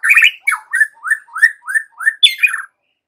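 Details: White-rumped shama in a lure recording for young forest birds. A burst of harsh notes is followed by a series of short upslurred whistles, about three per second, ending in a descending squeaky flourish.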